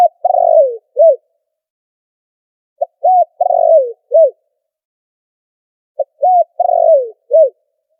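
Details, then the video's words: Spotted dove call, noise-filtered and used as a lure for trapping: a low cooing phrase of a short note, a rolling coo, a long purring descending coo and a final arched coo, repeated three times about every three seconds, with clean silence between. "Tiếng chim cu gáy chuẩn kích mồi đã lọc tạp âm"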